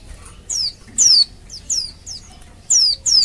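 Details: Female Oriental white-eye in breeding mood calling to males to provoke their singing: rapid series of high, thin, falling whistled notes, some louder and longer, bunched in pairs with brief pauses.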